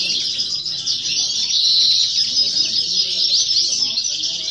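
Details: Novice European goldfinch singing in a competition, 2018 or 2019: steady high twittering with a run of clear, slurred whistles in the middle, over faint background speech.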